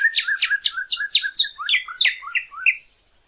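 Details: Northern cardinal song, played to teach captive birds to sing: a quick run of about ten slurred whistled notes sweeping downward. Midway it shifts to a slightly lower, sliding phrase type before stopping, with a quiet background.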